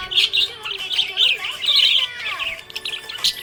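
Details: Happy budgie chirping in a quick burst of high warbled chatter, scratchy notes mixed with short whistles and rising and falling chirps, then a softer pause and one last sharp chirp.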